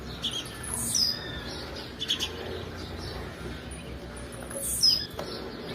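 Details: Blue-black grassquit female calling to excite males, giving brief high downslurred notes near the start and end, separated by several seconds of soft hiss and faint twittering.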